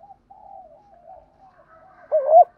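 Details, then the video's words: Spotted dove used as a decoy to lure doves, cooing in a 'gù thúc' style: faint drawn-out cooing, then one loud phrase of short hooked coos near the end. "chim cu gay moi thuc gu cu datgay giong hay, cu gáy giọng đồng gù thúc, cu cườm gáy giọng hay"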